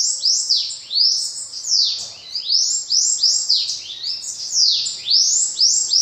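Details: A bananaquit sings a continuous stream of high, squeaky notes, each sliding sharply downward, packed closely into a busy, twittering series without pause.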